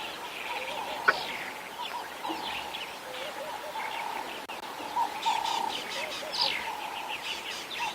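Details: During an evening safari drive on 27 January 2022, a bird alarm calls with harsh, scratchy notes in quick bursts over a steady engine-like hum, a quiet voice in the background.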